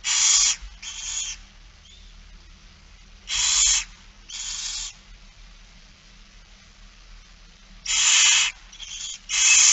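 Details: Barn owl begging during a feeding, Friesland, Netherlands, 8 September 2019: paired harsh hissing screeches, each pair repeated every few seconds, loud and noisy against a quiet background.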